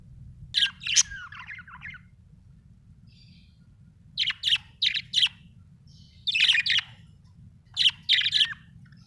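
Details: Budgerigar giving bright chirps in short bursts, a pair at the start and later clusters of three or four sharp, warbled notes separated by brief silences, with a faint low hum underneath.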